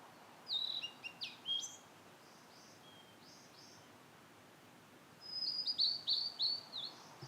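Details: Blue-and-white flycatcher singing in satoyama countryside: two bursts of clear, high whistled notes, slurred and partly descending, separated by a pause of about three seconds, over a soft steady background hiss.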